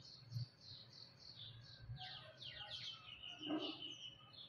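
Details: Bulbul, a mother with her young chick: a quick run of thin, high chirps, about three or four a second, then fuller, scratchy lower notes over faint background noise.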